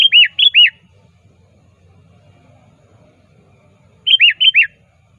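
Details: Sooty-headed bulbul calling a rival, a lure for bird trappers: clear, loud phrases of four looping, downslurred whistled notes, given once at the start and again four seconds later, quiet background.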